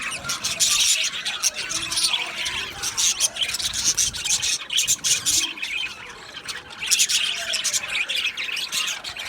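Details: Colony of male budgerigars in an aviary on 8 December 2025: rasping, rubbing chatter and high chirps pour out in pulsing bursts, with many birds calling over one another.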